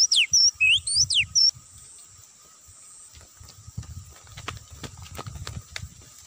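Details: Oriental magpie-robin song used as a trapping lure in an oil palm plantation: loud, clear whistled notes sweeping up and down for about a second and a half, then low rustling and thumping steps with faint high hiss.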